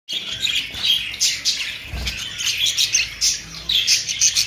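Budgerigars chatter in a steady stream of high, scratchy chirps and warbles.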